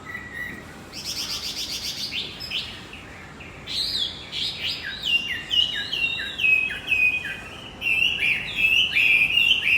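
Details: Javan white-eye song played as a lure to get a silent male singing again: a fast, busy chatter of high, sliding, chirping notes that grows louder and denser toward the end.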